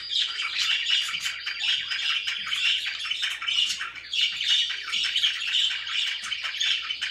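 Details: Happy pet budgies in steady chatter: rapid, raspy twitters and chirps packed closely together, with squawky notes rising and falling in loose bursts about once a second, no other sounds clearly heard.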